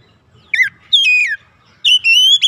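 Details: Oriental magpie-robin lure song for provoking other magpie-robins: a short falling note, a long slurred descending whistle, then a sustained rising whistle with rich overtones.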